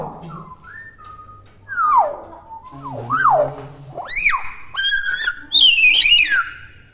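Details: Captive young common hill myna giving its natural calls before learning to talk: a varied series of whistles rising and falling, swooping slides and bright harmonically rich notes, building louder toward the end, with faint low background hum.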